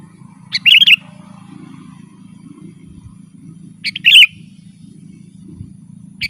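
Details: Sooty-headed bulbul in lively gacor, rolling ngeroll singing, used to lure wild birds: two short bright chirpy phrases, a second apart then three seconds later, over a steady low hum.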